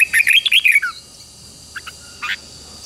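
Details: Red-whiskered bulbul fighting-style song meant to stimulate wild-caught birds to sing: a fast, loud tumble of bright warbled notes in the first second, then two soft chirps and one stronger note, over a faint steady whine.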